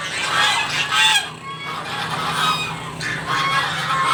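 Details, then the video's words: Geese clamouring for breakfast at a house, a whole group calling together; dense, raucous honks in two loud bursts separated by a brief lull, with a low background hum. "all goose makes noise for breakfast"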